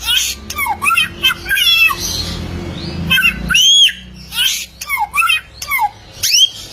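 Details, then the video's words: Golden samyong, or bare-throated whistler, an Indonesian songbird from the Lake Kelimutu area of Flores, East Nusa Tenggara, giving a varied series of loud, clear whistles, some rising and some falling, mixed with harsher squawky notes and short pauses. "AMAZING SOUND OF THE GOLDEN SAMYONG BIRD"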